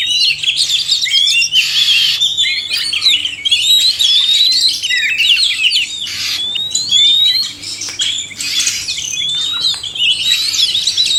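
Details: Male and female oriental magpie-robins in a duet of song, used to encourage caged birds to sing; a long run of rich whistled phrases, rising slurs and scratchy bursts in quick succession, with brief pauses.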